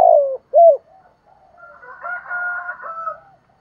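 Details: Spotted dove in hạp bổi voice with calling, urging and cooing phrases: two loud, low, bell-shaped coos in quick succession. They are followed by softer murmurs and a rooster crowing in the background.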